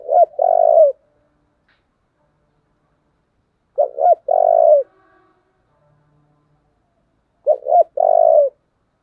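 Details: Spotted dove giving a very taut 'thổ'-style 'Thúc' coo, a standard model for decoy birds: three phrases roughly every 3.5 seconds, each two short hollow notes then a long, low, vibrating coo. Otherwise quiet.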